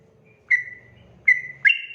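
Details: Sooty-headed bulbul in 'ropel' lure song to provoke replies: three short whistled notes, the last a quick rising flourish, over a faint low hum.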